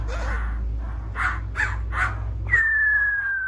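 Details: Laughingthrush, called khướu bổi, gives several harsh, raspy bursts about every third of a second. These are followed by a long, clear whistle that starts sharply and slowly falls in pitch.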